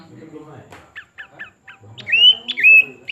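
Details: ['Pin-striped tit-babbler: a short run of clipped ticking notes, then two loud, clear whistles slurring upward and levelling off, with faint low background murmur.']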